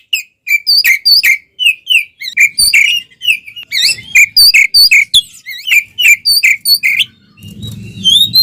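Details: Oriental magpie-robin in nonstop fighting song with spread tail, played to provoke other magpie-robins; a steady string of short bright whistled notes, each sharply slurred, about three per second, with low rumble late on.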